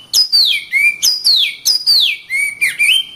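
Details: Oriental magpie-robin song used as a tutor recording for training other birds: loud, clear whistled phrases, each a high note sliding steeply down then levelling, repeated about every half second.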